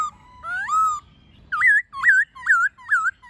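A laughingthrush gives a long, rising, sliding whistle, then a run of five short, looping whistled notes about twice a second, loud and clear over a quiet background.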